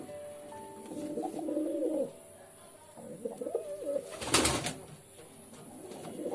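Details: Pigeon coos, rolling low warbled phrases in two main bouts, with a sharp burst of flapping wings near the end and a steady faint hiss indoors.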